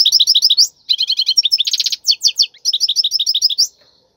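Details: Wild European goldfinch singing a khalwi-style tutor song for chicks, repeated quick twittering phrases with buzzy rattles and bright chips, separated by tiny breaks.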